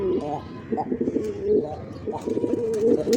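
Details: Black pigeons calling to one another: low, rolling, throaty coos in several bursts across the clip, with a faint background hum.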